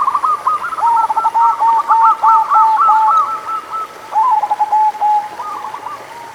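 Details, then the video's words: Cooing song of local zebra doves, played to stimulate reluctant birds into singing: rapid rolling series of short, soft coo notes, two voices overlapping at slightly different pitches, phrases pausing briefly then resuming, hiss in background. "100% Ampuh Buat Perkutut Malas Bunyi - Pancingan Suara Burung Perkutut Lokal"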